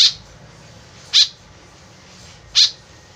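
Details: Harsh, nasal, buzzy calls from a white-breasted woodswallow used as a lure: three notes, the first cut off at the start, then two about one and a half seconds apart, with steady faint hiss.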